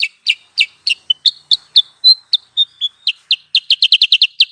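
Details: Lure call for trapping sooty-headed bulbuls, a lively series of sharp chirps mixed with short pure whistles, speeding into a rapid stuttering cluster of notes near the end.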